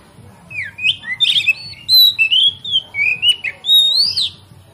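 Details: Kacer singing a lure song meant to set other kacer singing: varied rising and falling whistles and buzzy high phrases in quick succession, over a low background rumble.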